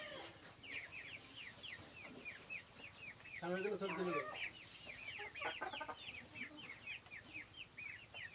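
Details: Silkie chickens on a farm, a flock chorus of many short, high, downslurred peeping chirps repeated rapidly and overlapping, with a brief burst of lower human-like voice midway.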